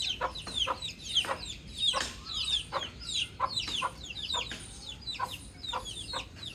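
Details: Baby chick chirping outside in peaceful nature surroundings: high, piercing peeps that drop in pitch, delivered in uneven clusters of about one to three per second, against faint low ambient noise.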